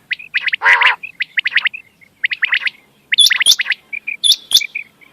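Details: Quail sounds for hunting at night: a rough nasal burst, then runs of short bright chirps in groups of three or four. Piercing high ticks join in near the end, with brief pauses between phrases.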